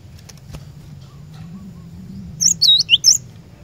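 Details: Glatik batu, the cinereous tit, singing as a lure for caged birds: after a stretch of low rumbling noise and faint clicks, a short run of three quick high whistled phrases closes the recording.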